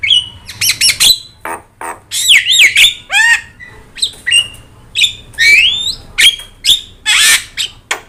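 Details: Javan myna, said to be yellow-eyed and singing continuously, a recording for tutoring other birds. Clicky harsh notes run into looping whistles and rising slurs, with a short buzzy rasp near the end, all in lively, uneven phrases.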